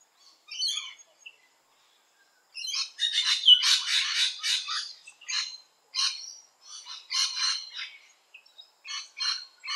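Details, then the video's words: Rainbow lorikeet visiting a garden: bursts of harsh, screechy high chatter, irregular notes clustered between short pauses, some notes repeated rapidly in runs. "RAINBOW LORIKEET visiting the garden"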